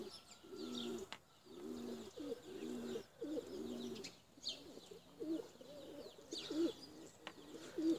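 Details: Domestic tumbler pigeons cooing: low, throaty, rolling phrases repeat about once a second in short bursts, some notes rising and wavering, with faint high bird chirps and light outdoor noise behind.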